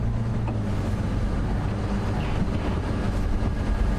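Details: Low vehicle engine rumble and wind noise run throughout, with no animal voice heard.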